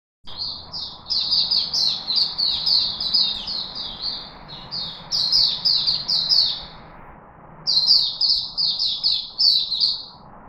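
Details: Chickadee in Singapore, 4 March 2021, singing fast strings of short, bright down-slurred notes, about three per second, in three bursts split by brief pauses, over a steady low hum.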